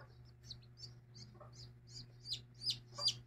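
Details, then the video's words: Domestic chicken, mother hen and chicks: high, thin downward peeps from chicks come about every third of a second, growing louder toward the end, with a few faint low clucks from the hen and a constant hum behind. "eggs mother hen chicks"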